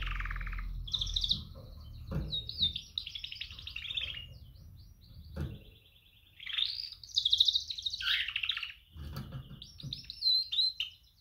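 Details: Female canary giving mating calls to attract males: clustered chirps and short buzzy trills, some rising and falling, in bursts separated by pauses, with low background rumble.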